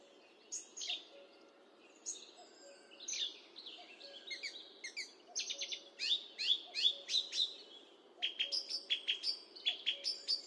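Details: Song thrush song recorded with a high definition microphone: scratchy varied phrases building into rapid repeated sharp notes, a fast stuttering series near the end, steady low hum underneath.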